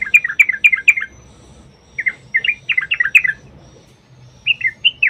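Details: Yellow-vented bulbul delivering lively, gurgling two- and three-note phrases in quick groups with short pauses between, a fluent song used to entice other bulbuls to sing.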